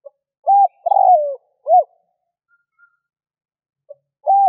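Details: Spotted dove luring call from 2021: a short coo, a long descending coo and a quick arched note, then a pause and the start of the next phrase. The phrases repeat roughly every four seconds.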